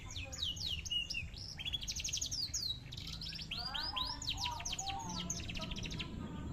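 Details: Large-bodied canary singing a fairly quiet, varied song of fast high trills and rolling repeated notes, some descending sweeps, over a steady low background hum.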